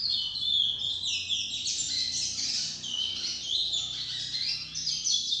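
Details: Lesser seed finch tutor singing to a young bird: dense, high, rapid warbling with buzzy and whistled notes, over a faint low hum.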